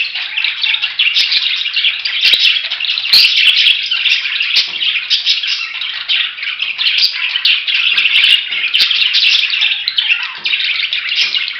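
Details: Budgerigars chattering without a break: overlapping scratchy chirps and squawks at steady loudness, with scattered sharp clicks.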